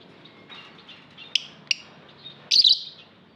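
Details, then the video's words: Lovebird chirping in an aviary: faint twitter, two sharp clicking chips, then a loud harsh rasping screech near the end. "Lovebird Singing Call & Chirping Sounds v2"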